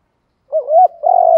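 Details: Spotted dove coo from a recording for training decoy birds to call in response. A rising, bending note runs into a softer link and then a strong, sustained, slightly pulsing hoot. Nothing else is heard.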